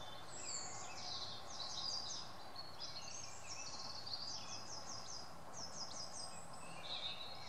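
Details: Thin, high chips and short twittering notes of a Eurasian blue tit on a tree stump in British woodland come in quick, overlapping bursts over a steady outdoor hiss.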